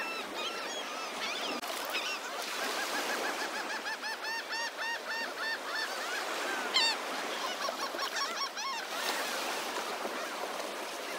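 A flock of gulls calls over and over with harsh, arched squawks that overlap in a busy chorus, above a steady wash of ocean waves.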